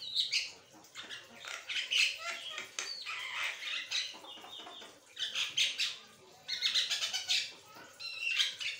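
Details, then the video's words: Chattering song of an Asian pied starling, delivered without pause: bursts of rough, rasping syllables with interleaved whistles, in waves of loud phrases across nearly nine seconds. "Jalak kebo gacornya kelewatan nilai sendiri suaranya"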